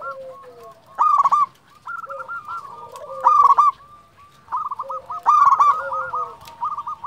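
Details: Local zebra dove, a champion caller, singing to provoke rivals and stimulate silent birds. Three loud, buzzy cooing bursts stand out, linked by quieter rolling coo sequences and a lower sliding note beneath.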